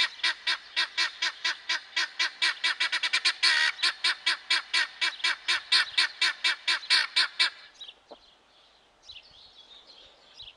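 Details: Male guineafowl performing its call: a fast, steady run of harsh, rasping notes, roughly four per second for about seven seconds, then stopping abruptly, followed by faint low chatter in the background.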